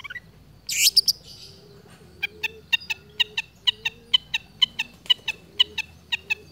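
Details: Long-tailed shrike imitating other birds' sounds in a steady, unbroken stream: a harsh burst opens, then sharp high chip notes repeat about twice a second over a soft low hum.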